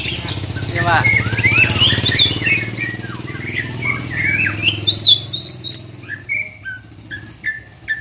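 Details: Young white-rumped shama, in mental training, pours out a rapid jumble of varied whistles and sharp chips, then spaced short piping notes toward the end, with faint low noise.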